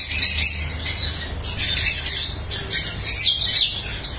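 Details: Numerous lovebirds at a breeding farm produce a steady wall of high, grating chatter and screechy squeaks, rising and falling in waves with brief gaps.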